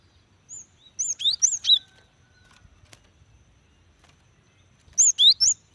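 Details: Female cinereous tit calling a male to coax wild birds into singing; a quick phrase of about four high, sharply inflected whistles, quiet, then the phrase repeated about four seconds later.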